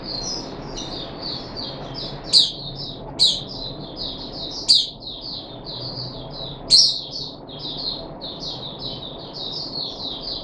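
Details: Puff-backed bulbul kept in captivity, on day three of a deworming course, 14 July 2021: a long stream of rapid high chattering notes, broken by four sharp loud clicks or knocks, over a low steady hum.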